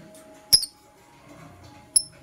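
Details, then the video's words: Two piercing, clipped high chirps from green and blue masked lovebirds, about one and a half seconds apart, recorded in the morning over a steady faint hum. "Lovebird Singing and Chirping Sounds - Green & Blue Personata"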